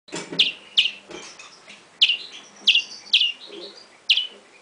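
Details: European greenfinch nestling begging: short, sharp descending chirps near the upper register, given singly at irregular intervals of about a second, with soft rustling between calls.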